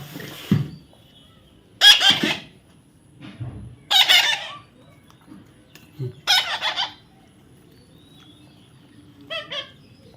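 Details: Baby parrot repeatedly letting out harsh, grating squawks, roughly one every two seconds, with a few soft low thumps and a faint short rising call at the end.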